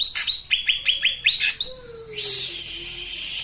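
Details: Master-recording songbird for cage-bird training gives rapid high chirps that slur downward, about six in quick succession, followed by a sustained, rasping, broadband buzz to the end.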